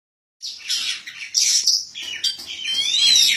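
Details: Caged white-breasted magpie-robin (Kacer Poci), a national champion at the 2017 Bupati Cup songbird contest, sings bright high notes with buzzy bursts and a rising whistled phrase near the end, after a brief silent start.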